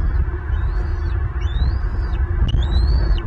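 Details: Wild bald eagle family at a Southwest Florida nest on 5 April 2023, two recently fledged eaglets back at the nest and scuffling at the pond; a few thin, high whistled notes rise and fall over a steady low rumble of wind.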